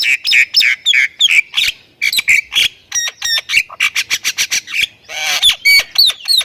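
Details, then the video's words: Energetic Thai-type Javan myna in full song with varied fills. It gives dense, rapid chattering notes, then squeaky rising whistles and a harsh rasp, followed by clear downslurred whistles. "OCEHAN BURUNG JALAK INI || Jalak Kebo Thailand Gacor Full Isian"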